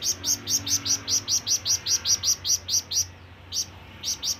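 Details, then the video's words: Flamboyan bird giving a long call to summon companions or rivals: a fast run of sharp, high chirps, about two per second, each with a downward-sweeping tail, pausing briefly near the end before resuming. "SUARA BURUNG FLAMBOYAN MEMANGGIL TEMAN"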